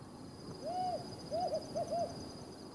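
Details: One of a pair of Desert Tawny Owls calling in the Judean Desert, Israel: a long, level hoot, then two pairs of short, quick hoots, clear against low background noise.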